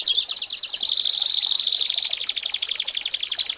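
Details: American Singer canary, recorded as a tutor for young birds, delivering an unbroken high rolling trill, pulsed and slightly buzzy, holding an even pitch throughout.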